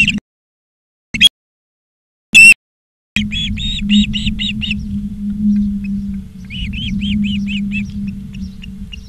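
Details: Osprey at its nest in Charlo, Montana, on 17 August 2023 in the afternoon: a few sharp, clipped bursts, then a row of about seven whistled chirps, a pause, and a softer repeated chirp series over low hum.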